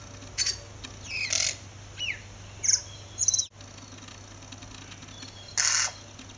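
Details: A tui singing all day outside a house: scattered short bursts of bright, broadband chirps and whistled notes with pauses between, over a steady low hum.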